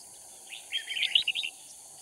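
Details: A red-whiskered bulbul serving as a trapping decoy in Kim Bôi, Hòa Bình, Vietnam gives one rapid, lively warbled phrase of about three-quarters of a second, with a faint high insect drone.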